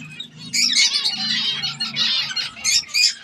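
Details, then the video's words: Zebra finch chick learning to feed itself, giving rapid, harsh, high squeaky calls in quick bursts over a soft low hum. "Cute Zebra Finch Baby"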